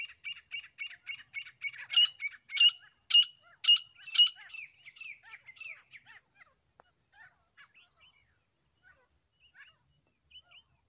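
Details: Grey francolin pair calling: a quick run of even, clipped notes, then several loud, sharp, ringing strokes about half a second apart, fading into scattered faint chirps.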